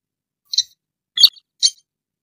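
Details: Sintar lure call used for bird trapping: three short, high, squeaky chips about half a second apart, thin and sharp against silence.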